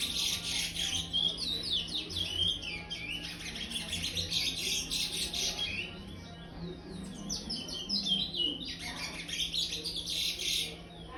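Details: In an aviary, a brown five-month-old chestnut-bellied seed finch sings its praia song, pouring out fast, loud runs of high chirping and slurred whistles in two long phrases separated by a brief dip.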